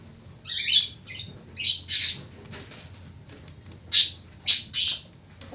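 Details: Ngekek-style lovebird song: clusters of sharp, rasping, high-pitched chirps in two groups, the first three close together and a final run of three after a quiet stretch with scattered faint ticks.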